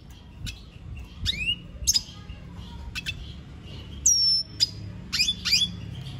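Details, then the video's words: Venezuelan goldfinch giving scattered high notes: single sharp chips, an upslurred whistle and a drawn-out thin whistle, separated by short silences. "Pintassilgo da venezuela cantando muito"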